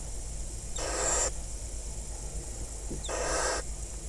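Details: Barn owl nest box in the crop fields of Kibbutz Snir, Hula Valley, northern Israel, 26 May 2020, with a wild breeding pair and five chicks, during prey delivery and mating; two breathy, hissing bursts about two seconds apart over a low background hum.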